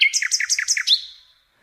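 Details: A short nightingale phrase for teaching canaries: four or five quick, high, doubled chirps in a rapid burst, closing with an upslurred note that fades.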